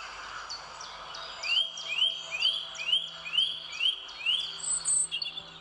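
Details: Wild parakeet in St James's Park, London, gives a run of seven harsh, upslurred screeches, about two per second, over a thin chatter of higher bird calls.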